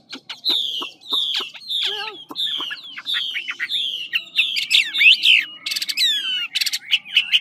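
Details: Large ngũ trường Chinese hwamei, Lạng Sơn, in fighting song: a series of descending whistled notes nearly once per second, then rapid twisting warbles and sharp high chips.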